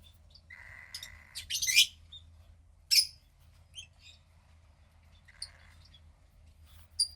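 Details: Cockatiel chick, a female about 15 days old from the second hatch, with a sister from the same clutch and pied parents. A raspy band of sound runs steadily for about a second, then bright chirps and squeaks follow, with a softer rasp again near the end.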